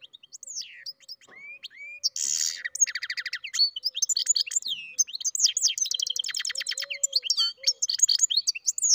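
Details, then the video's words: European goldfinch and canary hybrid in full song: rising whistles, a buzzy rasp, then long stretches of quick trills and twittering notes at high pitch. "καρδερινοκαναρο κελάηδημα (European Goldfinch carduelis mule singing)"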